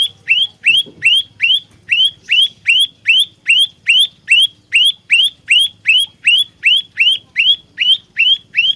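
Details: Olive-backed tailorbird for trapping and fighting, pouring out over twenty loud rising whistles in nearly nine seconds, fast and regular, with a faint thump near the start.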